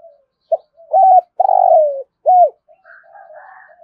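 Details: Spotted dove phrase in thúc gù style, deep and resonant as in the thổ rền voice: a clipped note, a doubled coo, a long vibrating coo falling in pitch and a rounded arched coo, then softer cooing behind.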